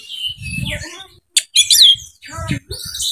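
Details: Oriental magpie-robin, a bird seeking a rival to fight, gives bright slurred whistles and quick high chirps separated by short pauses, while low thumping knocks sound underneath.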